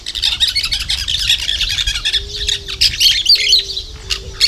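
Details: Loud, busy chatter of plain parakeets, recorded 2 December 2012: rapid shrill squeaks and chips packed together, with a low steady tone running underneath.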